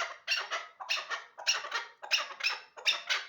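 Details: A hybrid chukar partridge raised for hunting utters doubled, scratchy chattering notes in paired bursts about every half second, bright and harsh, with brief gaps of silence between groups.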